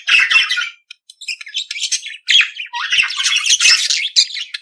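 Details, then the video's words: Budgerigar, the Australian parakeet, in dense harsh warbling with squawks and high squeaks, a quiet patch after the opening burst. "periquito Austráliano/deixe seus pássaros 🐦 mais animado."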